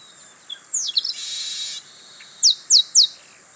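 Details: Wild male Chestnut-capped Blackbird at Itatiba, São Paulo, Brazil, singing on a March 2017 morning (08:40), Panasonic HDC-HS80: a falling note and rough buzzy burst, then three bright, steeply descending whistled slurs spaced about a quarter second apart.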